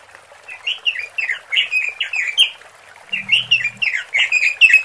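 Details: A female robin call used as a lure for males: a quick, continuous run of bright, slurred chirps and warbled notes at a lively pace, with a brief low hum partway through.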